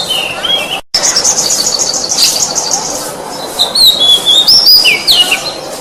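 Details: Kacer, the oriental magpie-robin, in training song: a brief break near the start, then a buzzy high passage followed by bright whistled slides and downward-swooping notes.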